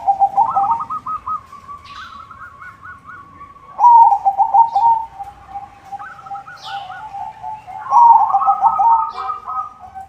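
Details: White zebra dove singing with a good rhythm to lure other zebra doves: three loud bursts of rapid staccato coos about every four seconds, with softer trilled phrases in between.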